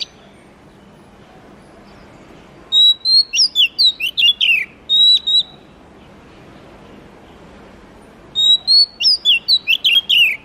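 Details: Oriental magpie-robin song in two bouts about five seconds apart, each a rapid run of some nine clipped, high whistled notes with rising and falling slurs.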